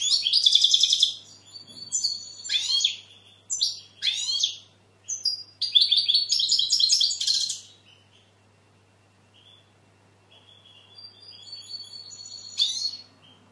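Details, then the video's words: European goldfinch song in separate bursts of liquid, twittering notes with sweeping slurs and rattled trills. A quiet gap follows, then faint chirps and one last loud phrase near the end. "Goldfinch bird singing the best sounds (chirping)Щегол поет / Τραγούδι καρδερίναςGoldfinch sjunger"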